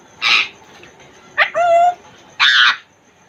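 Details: African grey parrot, Congo type, in its cage: two harsh, noisy squawks framing a clean harmonic whistle held steady for about half a second.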